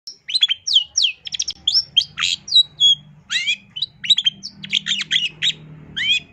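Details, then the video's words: Long-tailed shrike singing a varied, rapid song of sharp rising and falling whistled notes and chattery phrases, some descending, delivered almost without pause, over a faint low hum. "Kicauan Cendet No #1❗SUARA Masteran Cendet Gacor FULL ISIAN JOS"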